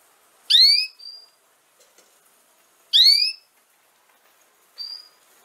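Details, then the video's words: Canary heard in recordings meant for teaching young canaries to sing: two loud, bright chirps with a sharp downward sweep, about two and a half seconds apart. Each is followed by a short, thin, level whistle. Background otherwise quiet. "Chant De Canari Pour Apprendre Au Jeune Canaries"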